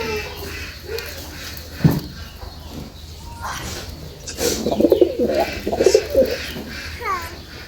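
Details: A pair of domestic pigeons, a red-border 'pagla dak' (crazy-call) male and a Jalali female, give a run of low, rolling, throaty coos, with a man talking faintly nearby.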